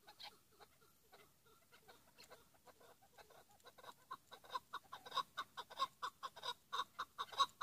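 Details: A Chukar partridge in 'pat' call: soft, sparse chuk notes slowly gather into a loud, quickening, rhythmic series of clipped notes in the last few seconds.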